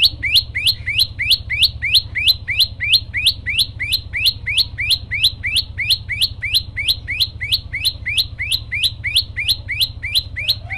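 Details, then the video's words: Rapid, steady run of bright upward-sweeping chirps from a tailorbird singing persistently, roughly three notes a second, all much alike, over a constant low background hum. "prenjak lumut gacor variasi"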